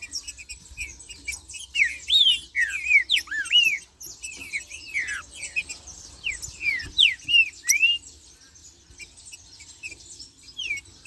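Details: Green-winged saltator in marcheando song, giving two bursts of rich slurred whistles that dip and rise, separated by a short pause, over a steady high-pitched chorus of other small birds.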